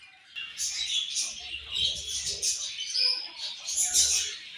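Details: Budgie colony at morning feeding time: dense, overlapping high chirps and chattering warbles from many birds, continuous with no pauses.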